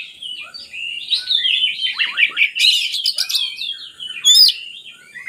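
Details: Oriental magpie-robin (kacer) song, played to lure lazy birds into singing: a rich, fast run of warbled whistles and twittering slurs, with sharp high notes near the end.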